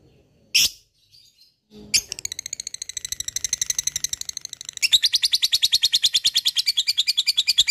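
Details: Lovebird in long ngekek chatter: two brief squawks, then a fast stream of high, clipped notes that grows louder and denser after about five seconds.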